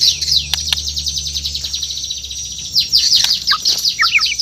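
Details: Murai batu (white-rumped shama) from Borneo singing in the morning: a dense stream of very high, rapid notes, ending with a few lower whistled slurs.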